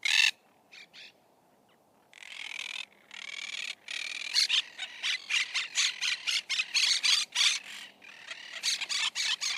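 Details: Monk parakeet chattering: a few sharp squawks, then a long run of rapid, grating notes about four a second, uneven in rhythm and loudness, with faint background hiss.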